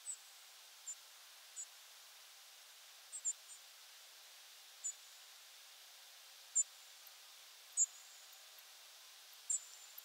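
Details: A group of European Robins on nocturnal migration, early October 2022 at 4:20 am, give short, very high, piercing thin contact calls, scattered singly every second or two over faint steady hiss.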